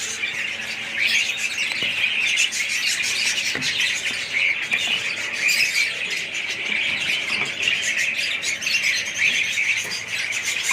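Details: Budgerigar colony in full voice: unbroken, busy warbling with scattered sharp chirps and squeals layered over one another throughout.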